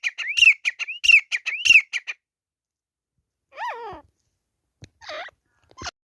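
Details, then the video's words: Grey francolin (teetar) during a fight. It opens with a quick burst of ringing, rising-and-falling notes over two seconds. Then comes a pause, followed by a lower harmonic wail and a few scattered short calls. "Teetar ki ladai | Grey Francolin Fight | teetar ki awaz | teetar sound"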